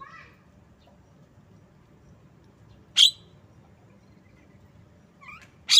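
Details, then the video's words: Javan myna with a sharp, harsh high note and a second one at the end, preceded by soft faint chirps, over a quiet low hum. "Bird Song Jalak kebo"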